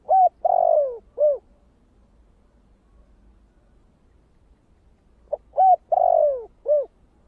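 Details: Cooing of a spotted dove, thổ kích bổi voice type. A four-part phrase opens the recording: short coo, long sliding coo, arched coo. Five seconds of quiet follow, then the same phrase repeats.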